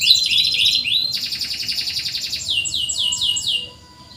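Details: Canary in full voice, played as a training lure for birds that seldom sing: very high, rapid trills in quick repeated pulses, shifting between several rolled phrases before stopping abruptly near the end.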